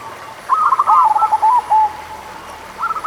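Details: Local zebra dove song used as a lure to stir doves slow to sing: a quick run of rolling, cooing notes lasting about a second, then a short trailing phrase near the end, over a faint steady high whine.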